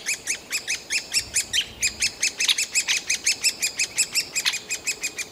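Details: Great spotted woodpecker chicks near fledging, clamouring for food from the nest cavity in a Yekaterinburg forest park, 28 June 2018: rhythmic rapid series of arched squeaks, with a brief burst of harsher, higher calls midway.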